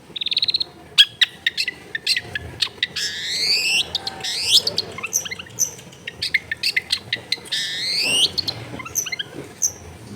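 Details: Long-tailed shrike recorded at a home in a crowded neighbourhood, played to get a quiet bird singing: a fast, varied medley of sharp chips, long buzzy rising sweeps and high whistled notes, busy and almost continuous.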